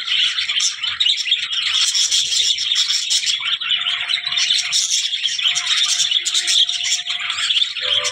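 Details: Continuous chattering warble of budgerigars, rapid scratchy chirps layered together, with a thin steady tone running through the middle section.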